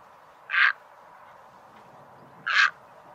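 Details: Egret call used as a lure for bird trapping: two short, harsh, rasping squawks spaced about two seconds apart, each lasting a fraction of a second, over a faint steady hiss.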